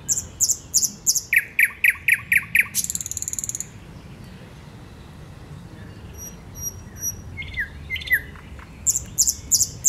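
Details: A thrush nightingale sings loud, rhythmic phrases: rapid repeated clicks and chocks, a dry rattle, high thin whistles, then more hard repeated notes, recorded 8 May 2022.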